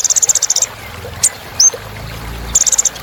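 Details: Kolibri ninja song to make birds lively: a fast run of high chips, a pause with one tick and a thin downward whistle, then another short chip burst, over faint low hum.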